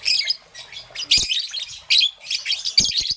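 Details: In the morning, a young peach-faced lovebird in green and yellow gives loud raspy squeaking chirps in bursts about every second, with brief sharp taps in between.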